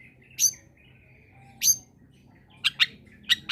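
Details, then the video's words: Long-tailed shrike (cendet) recording, meant to coax other shrikes that sing too little into singing: a few harsh, broadband rasping bursts separated by pauses, with a thin level whistle between them and quick short chips near the end. "Suara Asli Cendet Gacor Kombinasi.. Solusi Pancingan tepat buat cendet malas bunyi agar ikut bunyi"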